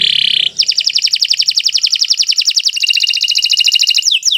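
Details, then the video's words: Indonesian canary Kenari Nusantara 173 in full song, used as tutoring material for other birds; a short buzzy note leads into an extended rapid high trill that shifts slightly lower midway, ending in sweeping whistles. "Kicau Burung Kenari 173 II LUAR BIASA GACOR PANJANG"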